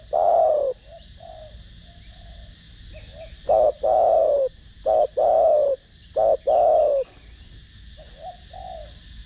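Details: Spotted dove (cu gáy) cooing in the thổ đồng voice to stimulate other doves: a long coo, soft murmured notes, then a run of short notes and long hollow coos, ending softly.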